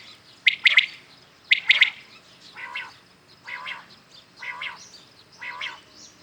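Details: Morning call of common quails. Two sharp triple-pulsed phrases lead into a run of four lower, rasping calls spaced about a second apart.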